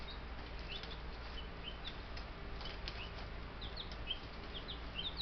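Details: Young Buff Brahma chicks, a group of ten on a homestead, giving scattered high, falling peeps that grow denser toward the end, with a constant low hum underneath.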